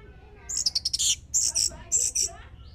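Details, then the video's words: An orange-headed thrush, played as a lure to get other birds singing, gives three quick bursts of high, sharp, twittering notes, each phrase under a second long, over a faint low background hum. "Pancingan anis merah biar bunyi"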